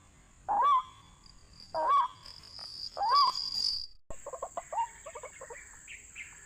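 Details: White-breasted waterhen lure recording for trapping: three nasal, up-slurred notes spaced over a second apart, then an abrupt cut to a quicker, choppy series of short clucking notes and thin higher slurs.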